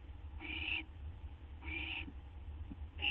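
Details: Owl at 12:38 AM on 8 September 2011, waiting for a vole or gopher treat. Two rasping hiss-screeches about a second apart, then a third begins as the clip ends, with soft knocks and low hum between them.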